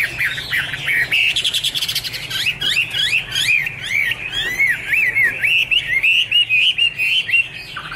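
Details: Chinese hwamei song: loud, varied whistled phrases, rapid rising and falling slurred notes repeated in quick series, with brief buzzy bursts early and a low background hum.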